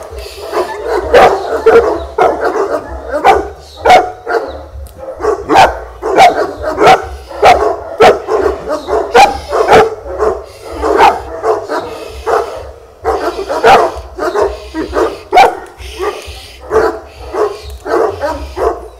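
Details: Young Fila Brasileiro, just one year old, protecting against a stranger during its first decoy encounter; sustained series of deep, gruff barks, roughly one or two per second, irregular and forceful for nearly twenty seconds.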